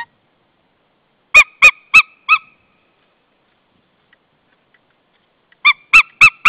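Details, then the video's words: A white-tailed eagle at its nest in Estonia in early March 2013, at the start of the breeding season, "sings": two bursts of four loud, yelping, goose-like notes about a third of a second apart, with silence between. "Eagle singing"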